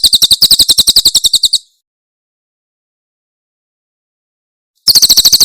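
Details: Javan prinia, locally Tembakan Cililin, in a tutor recording for training cage birds: a fast series of sharp, high chips at about eight per second, then a long silence before the series resumes.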